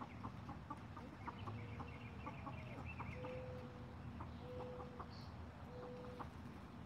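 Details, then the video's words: Six Golden Comet chickens having an evening watermelon snack, giving soft short clucks scattered through the clip, plus several steady, flat, held tones, over a constant low rumble of background noise. "Chickens Eating Watermelon"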